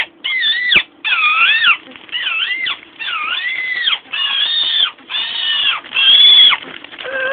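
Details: Captive female Amazon parrot mimicking sirens, brakes, dogs and monsters: a series of about eight loud wavering whistles, each roughly half a second long, rising and dipping like a siren, with brief gaps between them.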